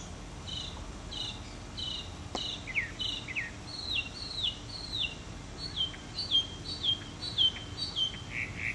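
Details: Northern mockingbird singing as it preens, Florida native plant garden, 2005: a long series of sharp downslurred whistled notes repeated about twice a second, rising and falling in pitch, with one brief click and soft hiss behind.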